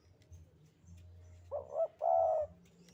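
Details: Javan spotted dove singing in the sandungan kuk-kuk pattern: after a quiet start, a soft double-pulsed note leads into a drawn-out mellow coo, with a low hum underneath.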